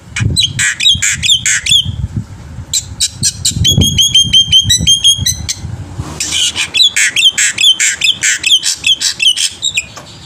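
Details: Black-winged myna in lively full song, meant to lure other birds into singing: rapid runs of sharp, squawky, high notes and repeated chattering phrases, some evenly spaced, over a faint low background rumble.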